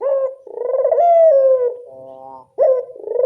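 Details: Lure recording of a local Barbary dove: one long, low rolling coo that swells, wavers and slowly fades, followed by the abrupt rising start of the next phrase.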